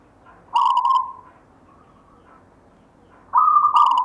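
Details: Zebra dove, a local bird in gayer style inherited from a grandfather, with a short buzzy-edged coo, a quiet gap with soft faint notes, then a louder sustained coo rising into another buzzy burst.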